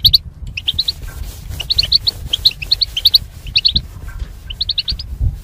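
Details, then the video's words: Caged goldfinches, mating pairs behind wire barriers, singing for training: steady series of lively chirps in small groups of two to four, continuing to the end above a faint low hum. "Goldfinch Chirping Sounds to Stimulate Birds"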